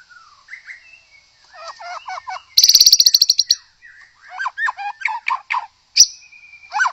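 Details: White-rumped shama, described as a wild forest bird, used as a lure for other shamas; jumbled chattering phrases, a loud, rapid buzzy rattle of repeated pulses, then scattered sharp notes and a short whistle.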